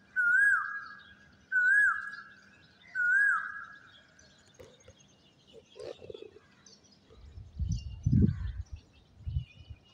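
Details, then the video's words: Asian koel calling from a tree by a rooftop garden at dawn in Khulna city, fog about: three clear whistled notes about every one and a half seconds, each dropping at the end, then fainter chirps and low rumbling noise. "যে ওই পাশের গাছটিতে কপিল ডাকছে।"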